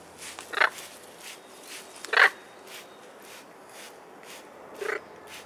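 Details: Two 21-year-old blue-and-gold macaws enjoying a spray bottle shower outdoors on a sunny spring day in London, 24 April 2021: three harsh, raspy squawks about two seconds apart, with soft hissing spray bursts between; Blue-and-yellow macaw.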